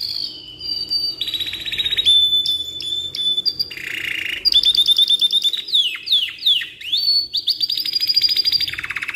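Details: Black-red canary in energetic form, long rolling song meant as a tutor: steady buzzy rolls, clear whistles, rapid clipped trills and a run of swooping slurred notes, loud and unbroken for nine seconds.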